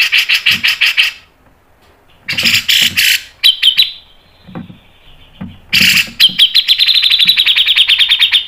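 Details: Cucak jenggot tutor recording in a long, fast style: several bursts of rapid, harsh notes with low thuds between them, ending in a sustained, fast trill of close-set notes.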